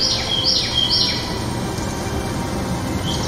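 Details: Ruby-throated hummingbird recorded in 2019: a quick run of three or four high, thin chips within the first second, each sliding slightly downward, then only steady background hiss for the rest.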